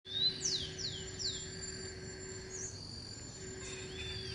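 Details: Scaly-headed parrots, a flock perched in garden eucalyptus trees, give a few high, descending, slurred calls early on, then fall quiet against a steady background of high insect-like tones and a low hum.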